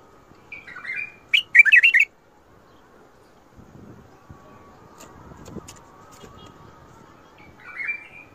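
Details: Bulbul singing in the Mandali and Badra styles. A sharp note leads into a loud burst of rapid bubbling whistles, followed by a long quiet stretch of faint background noise and a short closing phrase.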